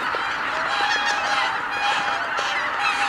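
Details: A large flock of greater white-fronted geese taking off all at once at Kabukuri-numa marsh, Japan, on 12 January 2019, calling in a dense, continuous chorus of high yelping honks that overlap without pause.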